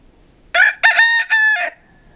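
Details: Pavlovskaya cock in Siberian Altai, Barnaul, late November 2015, crowing a clear three-part cock-a-doodle-doo: two short bursts, then a longer held syllable trailing off, against a quiet background; a man's voice follows.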